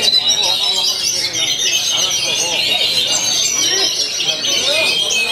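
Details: Oriental magpie-robin, said to sing continuously every day, delivering dense high whistled phrases and rapid chirps that overlap in a steady unbroken stream, with a faint busy background murmur.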